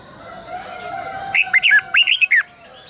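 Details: Caged red-whiskered bulbul serving as a decoy to train other bulbuls, singing a fast run of about seven rising and falling whistled notes over a faint steady hum.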